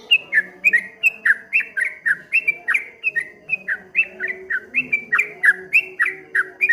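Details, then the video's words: Continuous 'ropel ngombak banyu' song of a streak-eared bulbul, rapid chains of short falling whistles alternating high and lower notes at roughly four per second, with a soft background hum. "suara burung trucuk kebo bunyi ropel ngombak banyu"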